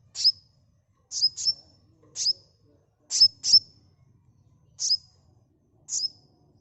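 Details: High, sharp sunbird chirps used as a lure. Each has a brief falling tail, and they come singly or in doubled pairs about every second, with little background noise.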